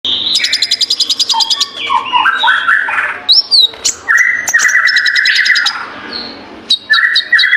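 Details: Ninja sunbird singing a busy, varied song: runs of rapid high ticking notes, short whistled phrases, and steady buzzy trills held at one pitch, with brief pauses between bursts.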